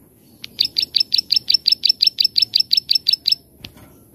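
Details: Plain prinia giving its 'klik-klik' song, a master recording for teaching birds to sing: around fifteen evenly spaced buzzy clicks at three per second, then a single sharp click.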